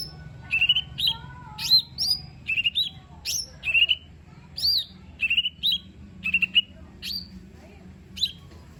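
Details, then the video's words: Lesser green leafbird (cucak ijo mini) song for coaxing a reluctant singer: spaced whistled phrases and upswept chirps, some doubled, with quieter lower whistles early on and a soft hum underneath. "Cucak Ijo Mini 💯 Nembak Isian Bagus Buat Pancingan Jomin Malas Bunyi Agar Cepat Gacor"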